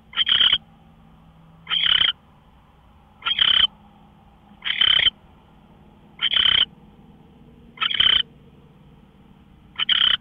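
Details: Predawn owl calls from March 24, 2013, 5:27 a.m., a long run of seven harsh, breathy screeches, each under half a second, repeated steadily about every one and a half seconds above low humming background.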